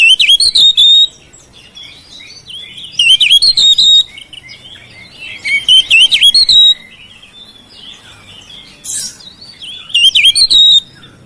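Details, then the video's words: Song of a house-kept oriental magpie-robin, used to coax silent birds into song. Similar phrases of sharp high chips and twisting whistles repeat about every three seconds, with quiet gaps between them. "KICAUAN KACER RUMAHAN MEMANCING SUARA KACER YANG BISU MACET"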